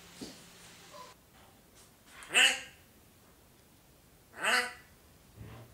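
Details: Talking parrot imitating comedian Kaya Yanar, copying his phrasing: two short, harsh, raspy voiced bursts about two seconds apart, with faint low murmurs between them.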